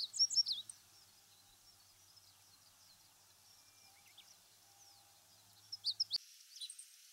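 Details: Meadow Bunting, one of Japan's wild birds of farmland, grassland and waterside. Two short bursts of thin, high, sharp chirps, one at the start and another near the end, separated by several seconds of near silence; abrupt break before the final notes.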